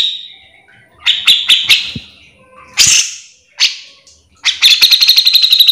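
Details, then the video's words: Grey-cheeked bulbul in gacor mbeset song for training others of its kind: scattered high chattering notes and a few harsh, broad squawks separated by gaps, ending in a fast, rhythmic burst of sharp notes. "Cucak jenggot gacor full mbeset"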